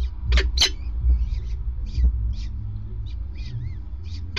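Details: Prey handover by a male peregrine falcon at a nest grate, 5 May 2019, 20:54: two loud grating screeches followed by scattered chips and a brief downward whistle, against heavy low-frequency rumble.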